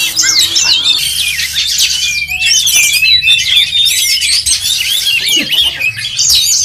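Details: Songbird contest chorus of oriental magpie-robins: a long rising whistle early on, then a dense tangle of quick chirps, slurred notes and trills from many birds.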